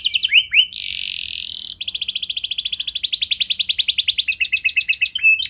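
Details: Canary singing as a prompt for other canaries: a hissing, buzzy sustained note, then a long very fast trill of repeated short notes ending in choppy rattling phrases.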